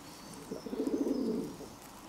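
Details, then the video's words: Pigeon cooing, recorded 11 June 2022: one soft, low, murmuring coo lasting about a second, with a slightly wavering, bubbling texture against a quiet outdoor background. "Kyyhkysen ääntely"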